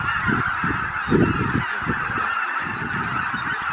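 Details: Greater white-fronted geese departing their Miyajima-numa roost, Japan, after 4 am on 23 April 2017, more than 83,000 birds, weather poor; steady mass of high honking calls with bursts of low rumbling noise beneath.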